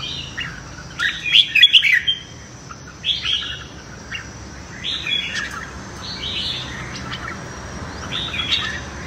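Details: Morning song of a red-whiskered bulbul in competitive singing, used to train voice and rouse newly caught birds; an energetic jumble of chirps early on, then short sweet warbled phrases repeated every second or two over light background noise.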